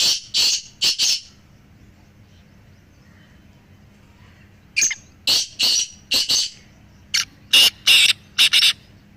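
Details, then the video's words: Three black francolins calling, played to make a quiet pet francolin call more strongly: harsh, grating phrases of about five rapid buzzy notes, one cut short at the start and two full phrases later, with quiet pauses between. "تین کالے تیتروں کی آواز سے اپنے تیتر کی بولی مضبوط کریں"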